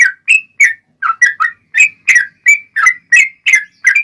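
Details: Yellow-vented bulbul in a long, rapid 'ropel' style, used as a lure to make other bulbuls answer. Bubbly, slurred whistled notes with rising and falling inflections repeat about three times a second, some paired, with a clean, quiet background.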